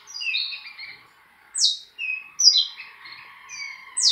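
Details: A saffron finch song of clipped, high descending slurs and short buzzy notes, with a brief pause midway before quick bright chirps resume, a faint steady tone in the background.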